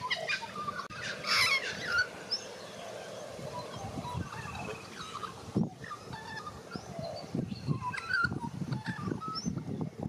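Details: White-backed Australian magpie, a young bird learning its song, warbling in Australia: busy mix of short whistled and gurgling notes at varied pitches, some rising and falling, over a steady low rumble with scattered clicks and thumps.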